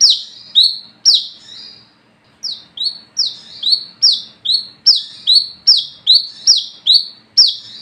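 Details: Olive-backed sunbird calling at night as a training lure: high, buzzy falling notes in a quick string, a short pause near two seconds, then a faster, tightly packed series to the end.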